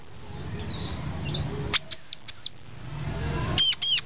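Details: Brown-throated sunbird calling with a few faint high notes, then two loud, sustained arched whistles, a pause, and another pair of ringing arched notes over low background rumble.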